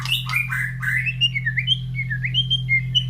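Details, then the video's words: White-rumped shama kept in a cage, set near other breeding birds after its morning feed: a fast run of bright whistled notes, sliding up and down in short hops, with a constant low mechanical hum. "Suara Murai Batu Gacor"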